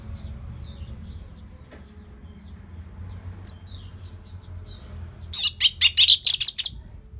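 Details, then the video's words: Orange-headed thrush song used to draw out and train other birds: after a near-silent stretch with faint distant notes, a loud one-second run of rapid, scratchy, high warbled notes. "Dipancing Dengan Kicauan ANIS MERAH Gacor Selow"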